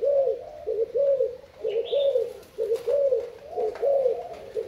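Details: Thai spotted dove cooing: low, soft, rounded coo phrases repeated about once a second in steady series, with a faint higher chirp from another bird partway through.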